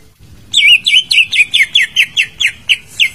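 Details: Greater green leafbird song used to prompt a silent bird into singing: a fast series of about eleven clear, looping whistled notes, each a sliding up-down phrase, evenly repeated roughly every quarter second after a brief silent start.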